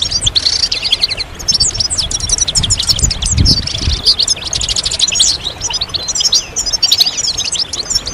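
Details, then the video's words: Dense chorus of European goldfinches, mating and readiness calls used to encourage males to sing after moult; continuous bright, rapid twittering and jingling trills from many birds, with low thuds and rumble beneath. "ستستة وبتبتة جماعية للحسون فعالة في تحفيز الحسون على الخروج من غيار الريش بسرعة"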